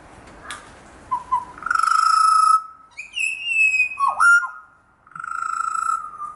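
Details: Pied butcherbirds, part of a family of five, singing to each other one morning, wary of a butcherbird chasing them: rich, fluted whistles, a sustained mellow note, a higher falling phrase, a swooping dip, then another long low whistle.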